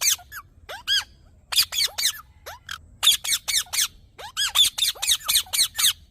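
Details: Green parrot calling: rapid runs of shrill, squeaky, harmonic-rich notes in bursts of three to six, mixed with a few lower upward-swooping squeals, short pauses between bursts, faint low hum underneath.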